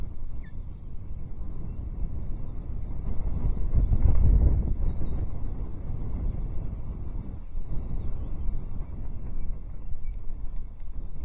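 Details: Ospreys at the Loch Arkaig nest on 9 June 2023, female and chick greeting the male's breakfast fish delivery with rapid, high, chattering chirps and whistled trills, many per second, beneath loud gusting wind.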